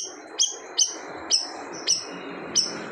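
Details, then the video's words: Gacor siri-siri bird, said to quiet other birds: five loud, high, clipped chirps spaced about half a second apart, each a quick bright flick, with faint rustling noise underneath. "SIRI-SIRI GACOR TEMBAKAN SADIS BIKIN BURUNG LAIN DIAM"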